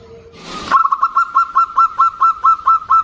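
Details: Zebra dove female calling to a loud-voiced local male: a rushing noise burst gives way to a fast, even run of about ten bright cooing notes, each with a slight upward hook.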